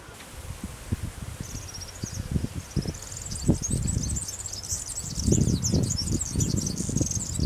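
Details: Barn swallow chicks in the nest, in their last days before fledging, make thin, high, squeaky twittering that swells into a busy, continuous chatter, over low thumps and rustling.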